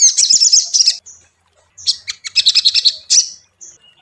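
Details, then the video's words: Crimson Sunbird lure song for stirring a caged bird into singing soon: a quick high chattering burst, a silent gap, then a fast run of sharp, high twittering notes ending in short chirps. "SOGON PANCINGAN mp3 Cocok untuk melatih mental sogon lekas bunyi"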